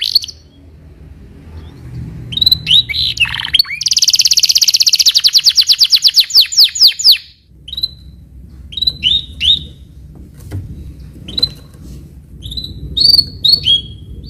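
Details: Canary singing a full stuffed walnut master style song: varied high whistled notes and sharp chirps, a fast rhythmic trill of rapid repeated notes in the middle, then scattered bright rising and falling notes, with a low indoor hum underneath.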